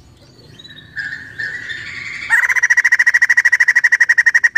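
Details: Female white-crested laughingthrush giving a scream: a soft rising whistle builds, then breaks into a loud rapid rattle of harsh pulsed notes, about three per second.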